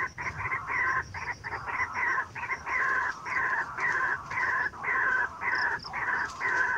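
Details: White-breasted waterhen used as a trapping lure, giving long raucous, nasal croaks in uneven bursts of roughly a second, one after another with short gaps.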